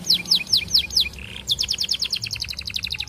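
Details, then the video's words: Canary singing to court a female, used as a lure to get other canaries singing: a row of quick falling whistles, a brief buzzy note, then a fast, even trill of high repeated notes. "Kenari Gacor Panjang MERAYU BETINA Cocok Buat Pancingan Semua Jenis Kenari Biar Ikut GACOR NGEROLL"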